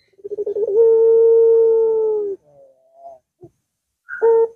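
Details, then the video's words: Barbary dove (puter) long coo, played to make a silent caged dove start calling; quick pulses run into a smooth sustained tone of well over a second, followed by faint notes and a short sharp coo. "Puter Macet Puter Malas Bunyi Langsung Ngaut"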